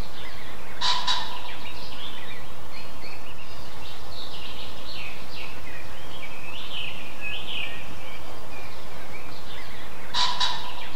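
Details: A roaming common pheasant gives alarm calls: two loud, harsh, clipped double bursts about nine seconds apart, with softer chirping from other birds and a steady background hum in between.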